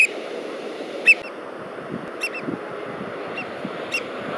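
American oystercatcher giving loud, piercing 'wheep' calls, roughly one a second, some near and some farther off, over a steady rush of surf or wind.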